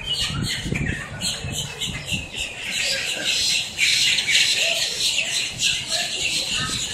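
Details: Miami blackbirds raising a racket: thick wall of shrill overlapping squawks and chatter that grows denser toward the end, with low thumping noises early on.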